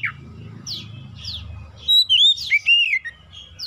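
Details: Oriental magpie-robin, a lure recording to trigger other magpie-robins into song: a few rapid falling sweeps over low background rumble, followed by a loud phrase of pure whistles bending up and down and a final descending note.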